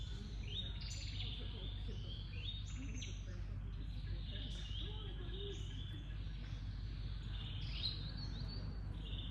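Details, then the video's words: Oriental magpie-robin (Copsychus saularis), a shy Old World flycatcher in Cambodia, sings a varied run of sweet whistled and scratchy phrases, high and continuous, over a steady low rumble of background noise. "Oriental Magpie-robin"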